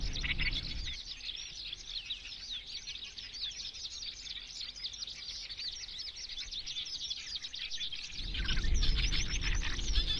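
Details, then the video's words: Eurasian skylark song: a long, unbroken stream of rapid high chirps, trills and warbles, continuous throughout, with low rumbling wind or ground noise at the start and end. "Eurasian skylark song"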